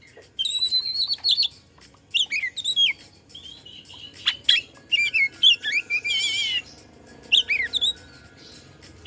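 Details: Song of a white-rumped shama in Indonesia, played to rouse other shamas: rich whistled phrases mixing trills, quick upward slurs and a buzzy warbling passage, repeated in short bursts.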